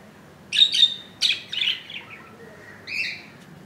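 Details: Budgerigar baby hatched 15 July 2018 at 2 AM, two days old in the nest; a string of thin, scratchy chirps in quick pairs, fading into softer calls, quiet background.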